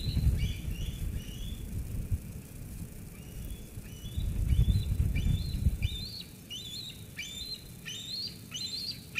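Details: Eaglet at Sauces Canyon, 13 June 2021, squeeing at its mother after she brings food, until she leaves. High, thin whistled squeals, each sliding up and then dropping, start a few seconds in over low rumbling wind or background noise.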